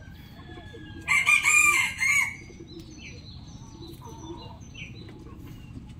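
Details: Rooster crowing in the morning: one loud, harsh, wavering crow of several linked syllables lasting just over a second, followed by quieter distant calls and faint background chirps.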